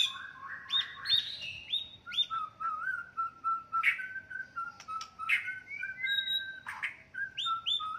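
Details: White-rumped shama delivering a fighting song that provokes rival birds: a long, varied stream of sweet whistles, upslurs and sharp ticking notes at steady pace, slightly quieter.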